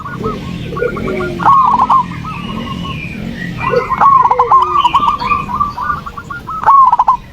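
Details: Zebra dove song for provoking a lazy dove to sing: long runs of rapid, clipped cooing notes from overlapping doves, with a low rumbling hum underneath and faint high bird twitters.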